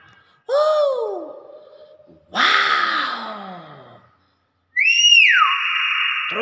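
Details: Common hill myna in Indonesia mimicking greetings: a tonal arched whistle, then a harsh broad rasping phrase, then a loud high whistle that slides down and holds steady, with people's voices around it.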